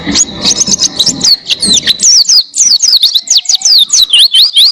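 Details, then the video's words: An Oriental white-eye (pleci) sings a long, rapid, high-pitched stream of thin, slurred whistles and twittering notes, with some low rumbling noise early on. "Masteran Pleci Gacor Buka Paruh Durasi Panjang Suara Jernih"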